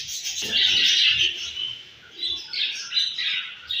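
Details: A loud surge of high, grating budgerigar chatter from home-bred babies opens, then thins to a quieter lull before scratchy, squeaky chirps return in short bursts.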